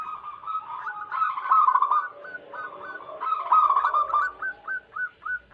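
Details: Lively wild-type zebra dove song serving as a lure for wild doves: overlapping rapid strings of short hooked coos, busy at first, then a single bird's evenly spaced clipped coos repeated about twice a second near the end.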